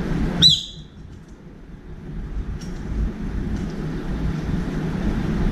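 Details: One short, sharp, harsh squeal from a brown-eared bulbul calling for a companion at a window-side feeder, followed by quiet with soft low background noise.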